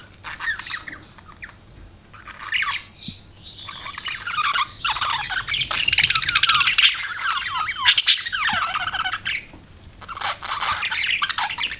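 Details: Pet budgies give a long, rambling warble of buzzy, squeaky chatter and rapid trills that swells in the middle, then trails off into scattered chirps.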